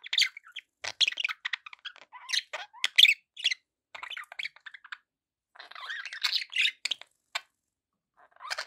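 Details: Budgerigar chatter: a busy stream of fast, buzzy, warbling chirps in clustered runs, pausing briefly before another dense flurry.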